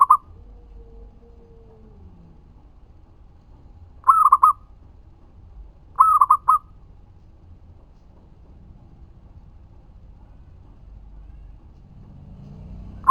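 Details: Local zebra dove singing steadily, used as a lure to draw answers from other doves: short phrases of clipped cooing notes, one at the start, then a phrase of two and a phrase of three over quiet background hiss.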